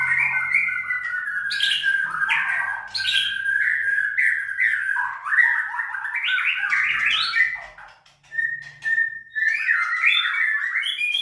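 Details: Captive white-rumped shama kept for song contests at a breeding farm in Sragen, Indonesia, delivering varied whistled phrases with sharp chips and slurred notes, a brief pause near the end, then a sustained clear whistle before the song resumes.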